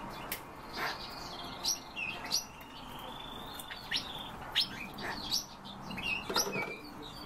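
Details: European bee-eaters calling: rolling, trilled notes that stretch into short level and gently rising phrases, with sharp chirps from other birds of the group and faint background hiss.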